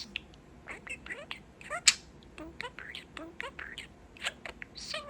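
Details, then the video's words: Close-up pet budgerigar, male, stringing together favorite phrases like "What Bird?"; quick, thin, speech-like chatter of short gliding notes and a sharp click. "What Bird? - Boba the Budgie - Talking Parakeet"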